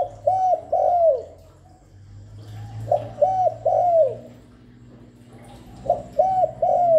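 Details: Spotted dove calling continuously to stimulate and lure doves: three evenly spaced phrases, each a short coo, a second coo and a long drawn-out downslurred final coo, with a low steady hum between.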